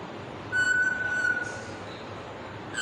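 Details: Pet parrot whistling a tune from the Bollywood song "Kuch Kuch Hota Hai": one steady, pure whistled note held about a second, with faint higher overtones and quiet background hiss.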